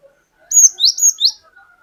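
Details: Cinereous tit, known locally as glatik batu, singing a lure phrase of the long 'wucit wucit' kind: four clear, high whistled notes, each rising, delivered rapidly within under a second.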